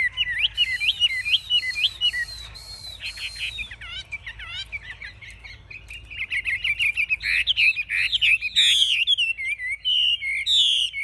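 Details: Chinese hwamei held in a cage, fanning its tail and lifting its wings, described as fighting fiercely; lively whistled phrases, a softer patch of clicks, then loud rapid warbling and buzzy notes.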